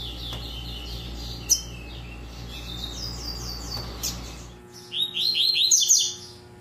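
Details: Caged Double-collared Seedeater, tui tui style, with scattered soft chirps over a humming background, then a clear run of about six quick, slurred, downward-swooping notes near the end.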